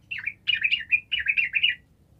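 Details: Sooty-headed bulbul in lively full song, used to provoke silent birds into answering: a clear, bubbling phrase of warbled notes, rising and falling, delivered in two bursts over about two seconds, with a faint low hum behind.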